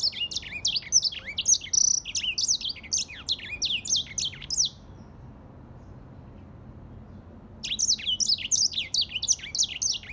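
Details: Grey singing finch song: rapid, high twittering of sharp slurred notes, many sweeping downward, delivered in a dense burst, breaking off for about three seconds of near silence, then resuming just as fast and bright.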